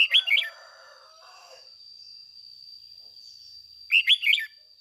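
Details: Red-whiskered bulbul decoy bird singing 'ché' song, meant to train other bulbuls: a brisk warbled phrase of slurred notes, then silence, then a second matching phrase near the end; continuous thin high whine behind.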